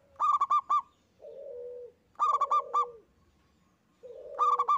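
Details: Single local zebra dove singing steadily: bursts of four or five rapid, hollow clipped notes alternating with a low purring coo, roughly every two seconds.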